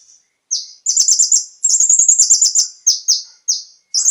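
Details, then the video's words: High-pitched konin (brown-throated sunbird) song used to prompt captive birds: a fast buzzy trill of clipped notes followed by several separate downslurred chirps, clear and close. "PANCINGAN suara burung KONIN agar langsung GACOR dan ikut NEMBAK FULL ISIAN"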